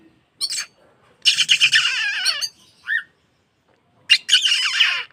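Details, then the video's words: Oriental magpie-robin trainer song for caged birds: two long grating, buzzy bursts with warbled downslurs, a brief looping whistle between them, and a sharp opening chip. "PANCINGAN KACER BUKA EKOR BIYAR BURUNG ANDA LEBIH GACOR MAKSIMAL"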